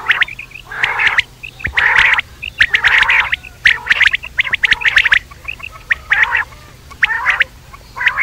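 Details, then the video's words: Quail calling at night: repeated harsh, raspy churring bursts about once a second, with short clicking notes between them. "batair rat wali awaz"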